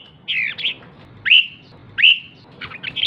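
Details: Female red-whiskered bulbul calling to stir up males, giving a warbled phrase followed by two loud, clear, downslurred whistles and a final burst of quick chirps.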